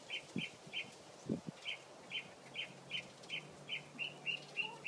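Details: Steady series of short, clipped chirps from a mockingbird, roughly three per second with small gaps, holding one pitch throughout; a few low thumps and a faint hum sit in the background.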